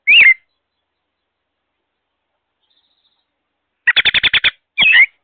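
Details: American robin calling beside its nest of young on May 22, heard through a wireless solar security camera: a slurred whistled note, a pause of several seconds, a quick run of seven clipped notes, then another slurred whistle.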